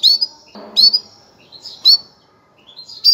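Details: A female canary calls to get males ready for breeding, repeating clear high chirps that rise then hold briefly, about one each second, with a faint low hum between notes.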